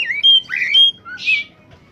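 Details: Oriental magpie-robin singing in top form as a lure for catching birds: clear high whistled notes alternating with a buzzy rising slur and a harsh rasp, delivered in quick succession.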